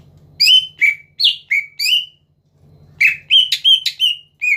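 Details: Greater green leafbird singing to provoke rivals: two bursts of clear whistled and slurred notes, around five to six per burst, separated by a short gap with a low mechanical hum.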